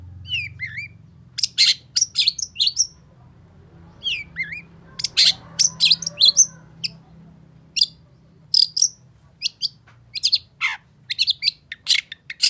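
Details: Long-tailed shrike in energetic, agitated song: bursts of harsh, raspy broadband notes alternate with short rising whistled chirps, coming in quick clusters separated by brief pauses, over a faint low hum.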